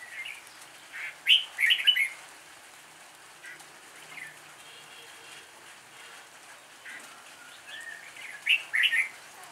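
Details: Red-whiskered bulbul lure bird singing its fighting song, a loud group of three or four rich chirps early, quiet middle phrases, and another bright chirping group near the end.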